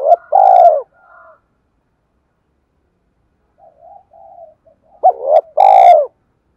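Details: Spotted dove in the 'cu gáy thúc' urging style, played to provoke a decoy bird to call. Loud, throaty coo phrases open and close the recording, with faint low cooing notes murmured in between.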